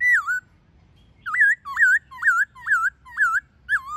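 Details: White-cheeked laughingthrush, multi-voiced forest song with female calls meant to coach captive birds: one looping whistle, a pause, then six twisting whistled notes repeated roughly every third of a second.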